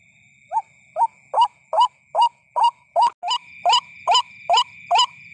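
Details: Luring call of the white-breasted waterhen (ruak-ruak) for night trapping: a run of about a dozen hoarse rising notes, quickening to well over two per second, with an abrupt cut midway and a faint low rumble and high whine.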